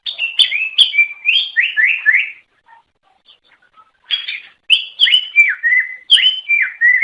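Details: Melodious song of a greater green leafbird, used to lure other leafbirds: bright phrases of sharp high chips and downward-slurred whistles, a quiet gap with soft notes, then a renewed rush of descending whistled phrases.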